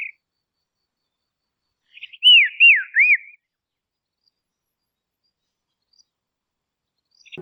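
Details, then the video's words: Dusky robin from Tasmania, Australia, a shy, insect-eating bird: a single phrase of three quick, arched whistles that rise then dip, surrounded by long silence. "Dusky Robin Call"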